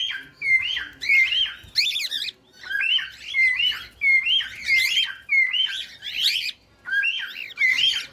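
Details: Cockatiel song for teaching a pet bird to sing: a short rising-and-falling whistled chirp repeated more than once a second, mixed with harsher buzzy bursts.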